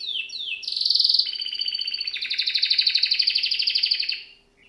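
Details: Canary (Serinus canaria) training song: two quick descending slurs leading into a loud rolling trill that shifts pitch and continues as a pulsing, rapidly repeated trill before fading.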